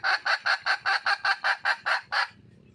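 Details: Wild red junglefowl hen calling for a male: eleven loud, harsh, evenly spaced clucking notes, about five per second, ending abruptly with a faint low hum behind.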